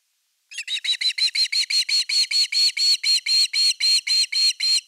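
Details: Osprey calling at its nest with an evening fish on 30 August 2021, nest camera #3: a steady string of bright, high whistled chips, roughly two each second, even in loudness throughout.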